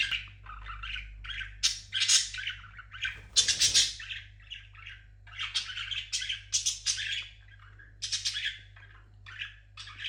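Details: Parrot gives a long varied singing sequence of harsh squawks, chatter and warbled phrases, loud throughout with brief pauses, indoors.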